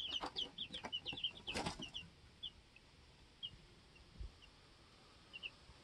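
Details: Two-week-old baby chicks in a homestead chicken coop; a burst of high peeps with a loud wing flutter early on, then sparse scattered peeps over quiet background.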